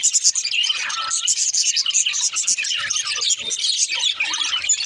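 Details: Pet budgies, described as talking, give a dense, continuous stream of rapid high chirps, squeaks and twittering warble notes, busy and unbroken for the whole stretch with no pauses.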